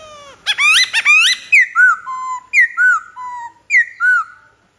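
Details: Black-throated laughingthrush song, opening with rich, rapidly rising whistled phrases, then a run of clear downslurred whistles repeated about once a second, each ending in a lower steady note.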